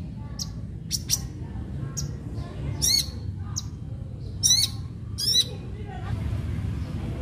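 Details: Long-tailed shrike singing as a lure to make other shrikes sing: scattered short chips and soft whistles broken by loud, harsh rasping squawks repeated at irregular intervals, low hum throughout.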